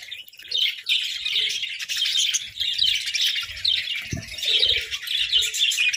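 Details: Budgerigars in a group chirp cheerfully during food fights; a steady, overlapping stream of bright warbling chirps fills the clip, interrupted by one sharp low thud about two-thirds through.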